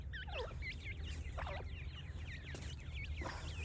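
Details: Francolin chicks, several together, giving a dense chorus of high, rapid, looping peeps, each note bending up and down, overlapping continuously with a low steady hum underneath.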